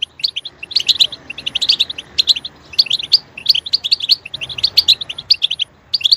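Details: European goldfinch song used to make goldfinches sing: bursts of fast, sparkling twittering notes separated by short gaps, chirps rising and falling quickly.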